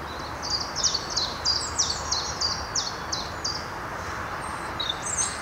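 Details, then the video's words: European robin in the Netherlands, recorded in 2023: a rapid series of high, thin ticking notes, about three per second, with a brief pause, then a few more high notes over steady low background noise. "Roodborstje - Robin"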